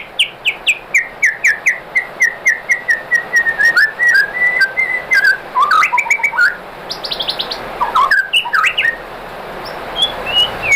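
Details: White-rumped shama song meant to provoke other shamas into answering: a long varied run of clear whistled notes, first a rapid descending series, then rising and falling phrases, a buzzy burst and sharp high chips.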